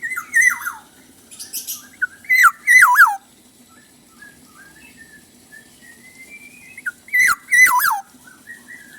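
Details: Black-naped oriole giving rich fluty whistled phrases that fall in pitch and waver, several short bursts separated by quiet stretches with faint softer notes.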